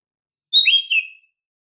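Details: A single female green leafbird daily call, which can prompt silent males to sing: a clear whistle stepping down in pitch, then a short falling tail note, in a quiet setting.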